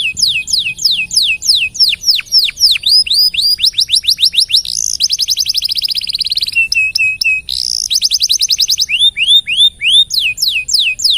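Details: Canary singing loudly and continuously for use as a master recording to train other songbirds: rapid repeated downslurred whistles, then dense buzzy trills and long rolling runs, changing tempo and pitch throughout, with no other sound.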